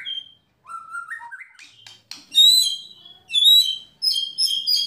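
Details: White-rumped shama singing kretekan and tembakan, used to stir other shamas into full song: a clear whistled note, then a rising series of stepped whistles, followed by loud, very high, buzzy rattling bursts.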